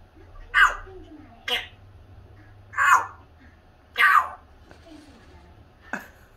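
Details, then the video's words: Indoor African grey parrot, two years old, telling the cats off with English-accented talking: five short loud speech-like bursts spaced about a second apart, with faint background hum. "African Grey with English accent telling cats off."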